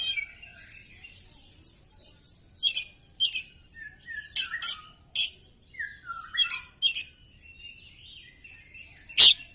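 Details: Caged Oriental magpie-robin in a fighting display with its tail spread, mixing harsh raspy bursts with thin whistled falling notes and a sharp squeaky final note; a soft chatter runs through the background.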